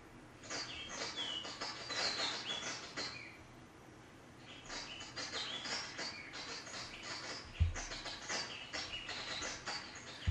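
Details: A White-collared Oliveback in Rwanda, a rare Albertine Rift endemic, gives rapid, thin, high chattering notes in dense bursts, then a lull and more, possibly a call new to the species; two low thumps near the end.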